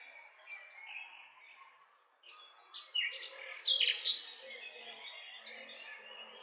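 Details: Nightingale in Romania singing: a loud burst of rich, rapid notes mid-phrase, rising and falling between sharp whistles and clicks, over soft chatter from other birds in the background.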